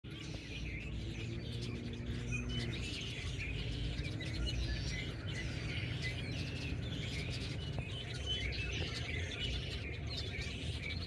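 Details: A tree full of Red-winged Blackbirds (identification only suspected) in Oviedo, Florida: a dense, steady chorus of many birds chirping and chattering together, high and overlapping, over a constant low rumble of wind or distant traffic.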